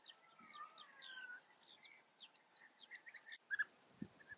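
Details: European bee-eaters in the Eifel, Germany, give short, rolling, liquid chirps that overlap in a busy, steady chatter, with a few louder notes near the end.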